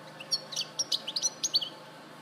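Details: A brief burst from a European goldfinch, Larache, 2014: about eight quick high chirps and twitters in rapid succession, clean and liquid, over low hiss.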